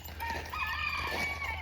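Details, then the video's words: On a country homestead in the morning, a rooster crows in a drawn-out, strained call as neighbours' roosters and the owner's roosters answer each other, over a steady low hum. "Neighbors roosters are talking to my roosters."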